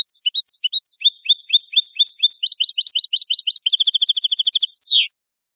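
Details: European goldfinch clean song, recorded for bird keepers: fast run of high, clipped twittering notes, then a dense rattling trill and a final downward-sliding buzzy note, with no background sound.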